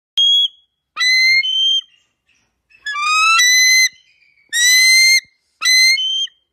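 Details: A bald eagle (Haliaeetus leucocephalus) in Canada calls with five high, thin whistled notes over six seconds, some rising or wavering, with brief pauses between; no other sounds.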